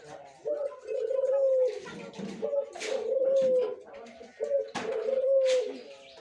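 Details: Caged mature Barbary dove, ready to serve as a master bird, utters three long, even coos roughly two seconds apart, with human talk and knocks in the background.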